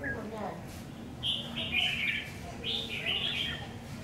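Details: Newly obtained decoy red-whiskered bulbul on trial: after a brief quiet start, two clear high warbled phrases, bubbly and slurred, follow one another over a soft low background.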